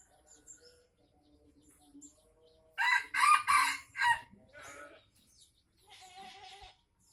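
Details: Tame red junglefowl from Aceh gives a short, harsh crow of three clipped segments lasting just over a second, loud against a quiet background of scattered soft chirps and a couple of fainter rasping calls afterwards.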